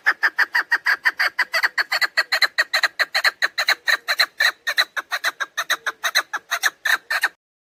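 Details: Loud, relentless chattering by a female chukar partridge, the call used to lure partridges for hunting: some forty-five clipped, throaty notes at a brisk, steady pace over seven seconds.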